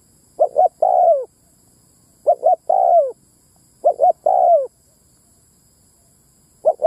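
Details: Ground lure call of a spotted dove, meant to draw in both males and females: three clear phrases, each two clipped coos followed by a drawn-out descending coo, separated by short pauses.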